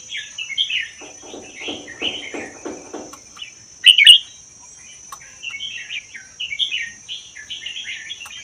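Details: Caged red-whiskered bulbul, wild-caught in the Vietnam–Laos forests and kept one year, sings a song said to be 80 percent doubled. Quick chirpy phrases come, then low rapid pulses, a loud burst, and more warbles over a constant high whine.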